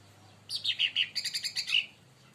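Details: Agitated leafbird, provoked by another bird, giving a quick chattering phrase of about ten high, sharp chirps and twitters over a low background hum.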